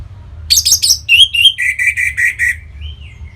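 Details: Singing orange-headed thrush, used to stimulate other birds into song: a few sharp high notes lead into a falling series of buzzy, evenly repeated notes that fade into a soft whistle. Low background hum.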